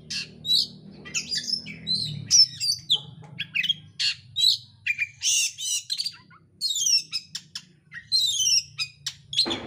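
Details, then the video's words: Oriental magpie-robin singing continuously, fast and dense, with packed imitations, used as a bait recording to set another bird singing. Rapid whistles, sweeping slurs and harsh chatters run together, with a low hum in the first seconds. "pancingan kacer gacor isian rapat cepat ngotot emosi"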